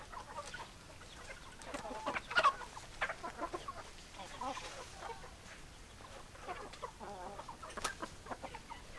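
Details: Hens clucking in a flock, soft repeated low clucks overlapping from several birds, with one louder squawk partway through and a steady background hum.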